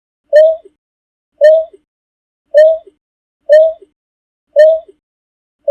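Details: A Greater Painted-snipe giving its flock-gathering call: a low, soft, owl-like hoot about once a second, each note followed by a faint lower murmur; nothing else heard.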